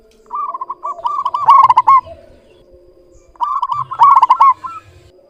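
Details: Local zebra dove, singing often and clearly, giving two long phrases of quick rolling coos that swell into loud trilled peaks.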